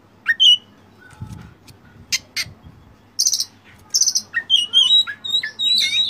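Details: Oriental magpie-robin training song in a full-fill style packed with varied phrases: sharp whistled notes, rising and falling slurs, and harsh buzzy high bursts in irregular quick succession, with a few low thumps near the start.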